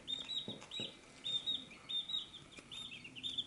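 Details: High-pitched cheeps from chicks feeding at a dish, several overlapping peeps in quick succession, with a couple of soft knocks and pecking sounds underneath.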